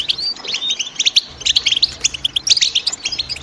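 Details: European goldfinch chirping in quick, high, tinkling bursts, with short trills and clipped notes tumbling over one another in an irregular, lively rhythm.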